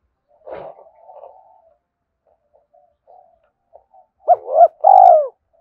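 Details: Spotted dove calling to provoke and lure males: a faint rough note and soft murmurs, then two loud hooked coos and a longer falling coo near the end, all low and hollow.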